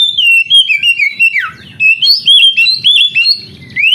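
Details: Oriental magpie-robin song, meant as training for young canaries reluctant to sing: a continuous flow of clear, warbling whistles, dipping and rising, with short breaks and faint low thumps beneath.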